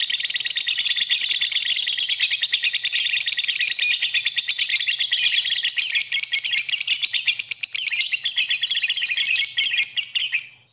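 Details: Lovebird, masteran style: steady piercing chatter of fast buzzy pulses and high squeaks. It holds loud and continuous for about ten seconds, then fades out at the end.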